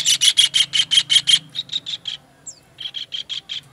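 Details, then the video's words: Kingfisher chatter recorded as a training master for songbirds. Eight loud rasping notes open in quick succession, then fade into softer repeats. A single thin falling whistle comes before a final short run. "MASTERAN TENGKEK UDANG"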